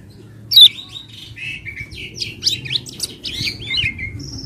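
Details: Common iora lure to spur singing: one loud falling whistle, then a busy jumble of softer chirps and twittering notes.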